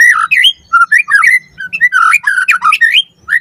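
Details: Captive white-rumped shama song used as a lure recording to train other caged birds. Loud, rich whistled phrases slur up and down in quick bursts, broken by short squawky notes and brief pauses, in a small room.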